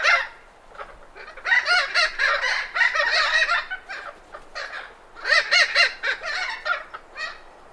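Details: Thick-billed parrots in Arizona give alarm and contact calls: loud, harsh, rolling squawks in two rapid bursts of several calls each, raucous and nasal, with brief pauses and some background wind.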